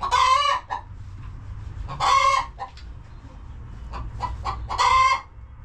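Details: Relaxing homestead chickens in their coop produce three loud, coarse squawks roughly two and a half seconds apart, with faint clucks scattered between them.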